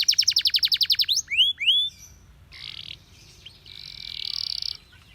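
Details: Canary song used for training canaries: a quick trill of repeated chirps and two swooping whistles, followed by softer buzzy, noisy passages.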